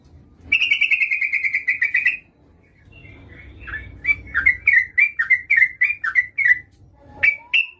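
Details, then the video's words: A female Yellow-vented Bulbul calls for a male, played as a lure. A long rapid buzzing rattle is followed by a run of separate, slurred, downward-bending chirps, with a low rumble behind. "Suara burung trucuk gacor memanggil lawan pancingan trucukan betina memanggil jantan agar bunyi"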